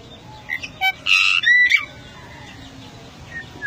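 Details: Golden myna, a rare Papuan endemic bird: short whistled chirps lead into two loud, harsh, broad rasping calls, each ending in a bright upslurred whistle. Fainter whistles trail off afterwards.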